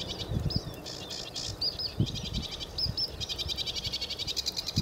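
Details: Sedge warbler singing at Newport Wetlands on 29 April 2015: a fast, scratchy jumble of chattering notes and sweet upslurred whistles ending in a rapid rattling run, low wind rumble beneath.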